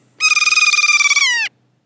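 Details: A kea gives a chatter call, a rapid rich nasal rattle of about twenty quick pulses ending in a brief drawn-out note; the call is linked to foraging or flying together and never to alarm or aggression.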